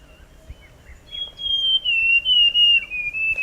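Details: Song of the Forest scrub robin (Cercotrichas leucosticta): a long, clear, high whistle that wobbles up and down and slowly slides lower across two connected phrases, with a quiet background.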